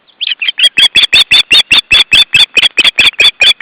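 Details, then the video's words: Osprey (Pandion haliaetus) alarm call, July 2012: a loud, urgent run of about eighteen sharp whistled notes, each with a slight downward inflection, repeated quickly at roughly five per second without pause. "Osprey (Pandion haliaetus) - Alarm call"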